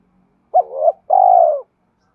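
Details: Fighting coo of a spotted dove, played to draw wild doves in for trapping; one phrase of a short accented hooting note followed by a sustained, even, mellow coo that slowly drops in pitch.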